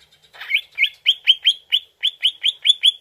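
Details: Greater green leafbird sound used as a lure to make the bird answer: a clean series of about twelve bright, rising chirped notes, evenly spaced and quickly repeated, with a brief scratchy note at the start.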